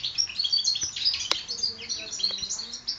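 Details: European goldfinch hybrids, four months old, 2012 season, give quick twittering song of sharp chirps and short trills, with a single faint click partway through.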